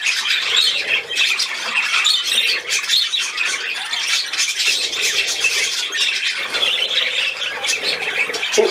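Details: Budgerigar at play on 13 December 2019 delivers a steady stream of rapid, high twittering and scratchy squeaks, the chatter rising and falling in loudness throughout.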